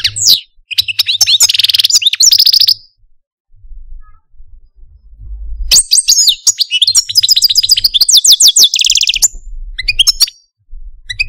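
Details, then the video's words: Male Algerian parva goldfinch in a cage, pouring out dense, complex song: rapid jangling trills and buzzy twitters for nearly three seconds, a quiet spell, then a long rich phrase of chirps and rattling trills. "Algerian Parva goldfinch, Chardonneret, Cardelino, Jilguero Stieglitz, Stillits"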